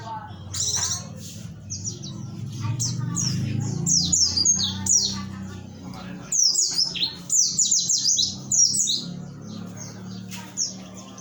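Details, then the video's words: Oriental white-eye from Pacitan, Indonesia, giving 'nembak materi' song: rapid runs of thin, high, sliding chirps in irregular bursts, with a steady low hum and faint voices underneath. "pleci pacitan nembak materi"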